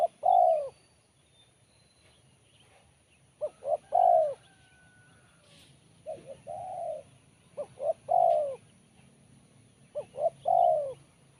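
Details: Spotted dove singing in its sharp, crisp style. Five phrases, several of them a pair of quick short coos and then a drawn-out descending coo, with irregular gaps. A steady low hum runs through.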